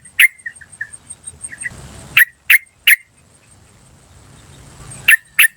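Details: Yellow-vented bulbul in the wild, recorded as a lure for other bulbuls: an abrupt 'cuk' note, softer short chirps, then spaced pairs of loud clicky 'cuk' calls over a constant high-pitched insect-like drone.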